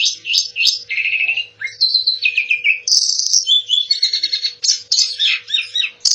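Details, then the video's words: Varied song from an Asian pied starling: bright whistles, harsh buzzy notes and chattering phrases tumbling one after another without pause, mostly high-pitched, over a low steady background hum. "Kicau burung jalak suren"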